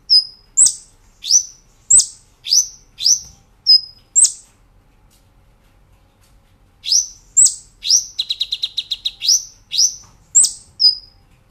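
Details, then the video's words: Cage-bird training master of a Brown-throated sunbird: a series of sharp high swept chips and thin whistles, a pause of a few seconds, then more chips with a fast stuttering trill. "Masteran Kolibri Ninja Gacor Nembak Ngerol"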